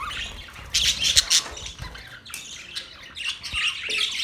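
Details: Birds chirping on October 3, 2023, in uneven bursts of shrill, squeaky notes about three per second, separated by quieter gaps of softer background chatter.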